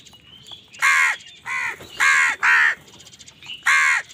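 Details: A crow, angry while fighting other birds for food, gives five loud, rasping caws in about four seconds, each one short and harsh, with an irregular beat and a low background murmur.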